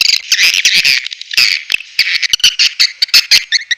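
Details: Swiftlet calls from a natural lure recording, sp. elang Borneo, used to attract swiftlets: clustered high buzzy chirps and clicks, loud at the start, then scattered sharp notes.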